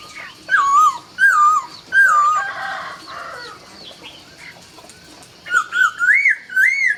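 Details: At dawn a laughingthrush sings loud, clear whistles: three falling phrases, a pause with softer background notes, then rising, upswept whistles repeated quickly.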